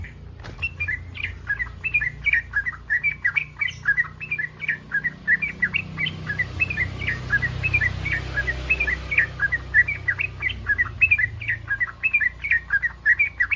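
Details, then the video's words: Mating call of a yellow-vented bulbul in breeding condition, used to provoke other bulbuls to respond: a continuous rapid chatter of short, slurred chirps, roughly three per second, sustained throughout with a soft hiss and low rumble behind. "SUARA BURUNG TRUCUKAN BIRAHI"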